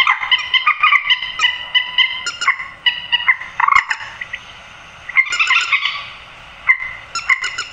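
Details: Grey-headed swamphen, a call used to lure birds into nets after dark: rapid series of harsh, harmonic clucks and squawks, a quieter gap midway, then a louder rasping burst and renewed chatter.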